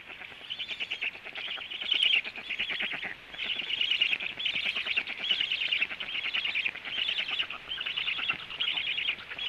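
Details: Black stork at the nest around 14:45 as the male comes home and feeding begins: loud buzzy, rasping bursts, each about a second long, repeated with brief pauses, steady and insistent throughout.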